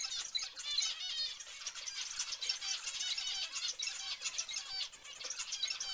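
Zebra finches chatter nonstop, a busy overlap of high, nasal beeps and squeaky toy-trumpet notes.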